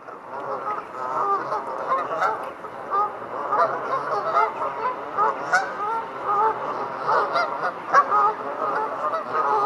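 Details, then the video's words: Flock of Canada geese honking while advertising territories or taking off: a steady, crowded chorus of overlapping nasal honks for nearly ten seconds, with no single bird standing clear. "Canada Geese Honking - Defending Territories and Before and During Flight"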